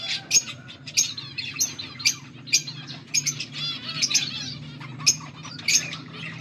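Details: Budgie warbling recorded August 14, 2024: quick trilled chirps punctuated by sharp high squeaks roughly every half second, over a quiet steady low hum.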